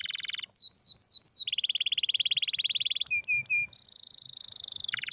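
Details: Strong canary song moving through a buzzy trill, four looping whistled notes, a long rapid rolling trill, short clipped notes and a high fast trill.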